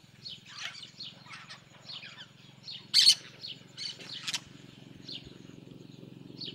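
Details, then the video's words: Yellow-chevroned parakeets in the sertão of Bahia, Brazil, making a lot of noise: short sharp chirps and squawks scattered through the clip, one louder harsh burst near the middle, with a steady low hum underneath. "Periquito De Encontro Amarelo"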